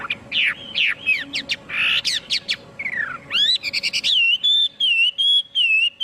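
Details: Chinese hwamei in full song: rough, dense warbled phrases at first, then from the fourth second a steady series of pure, sweet whistled notes repeated at an even pace.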